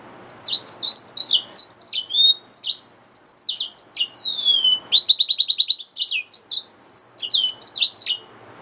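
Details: Yellow-fronted canary mule, a hybrid finch, gives a long lively song of high varied chirps, slurred whistles and two bursts of fast buzzy trilling, close and clean.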